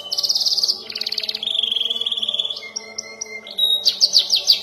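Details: Young canary (kenari paud) practising its song, learning long rolls and sharp bursts: dense buzzy trills, a long steady whistled roll, a thin pure tone, then quick bright repeated sweeps.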